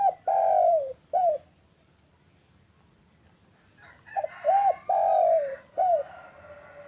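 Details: Afternoon cooing of a local spotted dove, intended as a lure for doves that are slow to call. Two full phrases of arched and long falling coos are separated by a few seconds of quiet, with faint higher chirps in the second.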